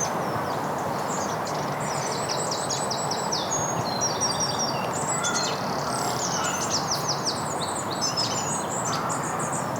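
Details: Goldcrest in woodland in Basingstoke, Hampshire, UK, on a spring Sunday morning, calling overhead and possibly displaying: very high, thin, rapidly repeated notes in short tumbling bursts over broad background rumble and wind.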